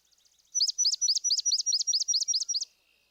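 Swamp Sparrow song: a slow, even trill of about ten loud, sweet chips, each clearly countable, delivered over two seconds.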